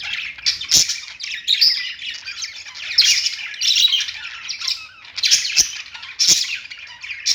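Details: Budgerigars chattering on their perch, dense scratchy warbling mixed with harsh squawky notes and a few sharp taps.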